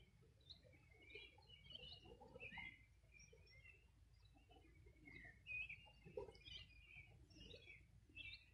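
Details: Several riverside birds call on a 2020 summer morning beside the Río Bueno, Los Ríos region; scattered short chirps and trills come and go at varied pitch, softer than the constant low murmur of water.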